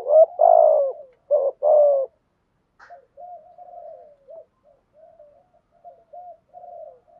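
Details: Decoy spotted dove calling to lure other doves: a burst of three loud, rich coos, then a long tail of gentle, low murmured notes after a brief silence.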